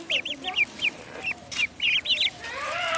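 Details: Duckling in a pond peeping loudly in quick pairs and triplets of high arched whistles, ending with a burst of brighter, broader noise.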